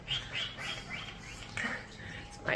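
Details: A male pet cockatiel in an indoor bird room, looking out toward a tree and calling, gives a quick run of shrill, rising chirps, about three a second, ending in a sharp upward whistle; a woman talks softly underneath.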